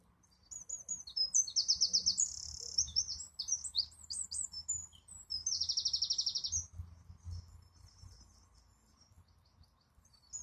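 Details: Wren song in a long, loud outburst: a fast rattling trill, darting high notes, then a second trill before the phrase fades.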